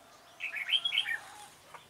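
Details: Red-whiskered bulbul with a dark bib, a decoy singing to lure wild bulbuls into a trap, recorded 28 February 2017: one short bright warbled phrase of quick rising and falling notes, then a faint click.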